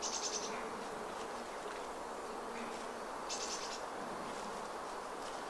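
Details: Redwing in woodland undergrowth in Vannes, Brittany, in December 2022, winter, giving two thin, high, drawn-out tseep notes about three seconds apart over a steady buzzing hum.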